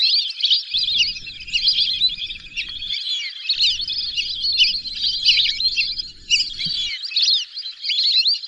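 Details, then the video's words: Unbroken chorus of shrill whistles, as from a flock of whistling ducks, with many thin notes overlapping throughout. "whistling dack call/sound /বালি হাসের ডাক/শরালী পাখির ডাক"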